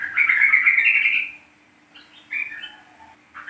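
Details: Yellow-vented bulbul of the East Java 'trucuk kebo' type, a lure recording to make bulbuls sing: a single loud bubbling warble of just over a second, followed by softer fragmentary notes.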